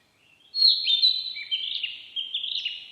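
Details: Narcissus flycatcher song, a clear rich warbled phrase lasting over two seconds, high whistles sliding down into short trilled and twisted notes, loud against a quiet background.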